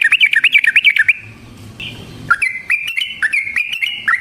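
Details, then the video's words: Fighting song of a yellow-vented bulbul, recorded as a lure and for training: a fast burst of warbled notes, a pause with a faint whistle, then a lively run of sharp, bouncing notes. "Burung TRUCUKAN GACOR Ropel Panjang Cocok untuk PANCINGAN Trucuk bahan dan MASTERAN Burung Trucukan"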